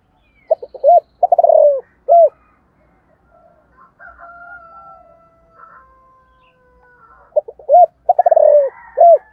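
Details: Spotted dove cooing in the morning, 'giọng thổ' style, to lure wild doves. Two stuttering phrases that each end in a long sliding coo and a clipped final note, with thin whistles from other birds in the gap.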